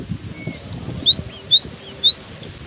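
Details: A cinereous tit singing persistently in strong wind: five bright, high whistled notes in quick succession, alternating slightly rising and falling slurs, above a steady background of wind.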